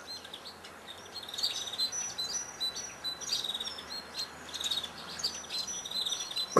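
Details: Eurasian tree sparrow (Passer montanus) giving short, high chirps in quick, uneven bursts, possibly from several birds, over steady background hiss, with a sharp knock at the end.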